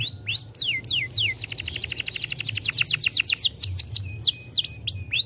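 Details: Song of a young canary, played to stimulate birds: a few sharp descending whistles lead into a rapid, even trill, then varied chirps and looping sweeps rising and falling at high pitch.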